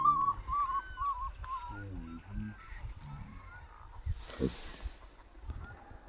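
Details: Common redshank in front of the bird-watching screen in the Balgzandpolder, Netherlands, giving quick, piping whistled notes, some sliding downward, about twice a second; lower honking calls and a brief rustle are also heard.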